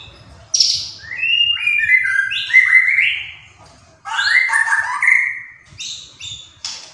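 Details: White-rumped shama singing in gacor style, a lively full song: rich whistled phrases in bursts, rising and falling slides and quick stepped notes, with high sharp notes at the start and end and brief pauses between phrases.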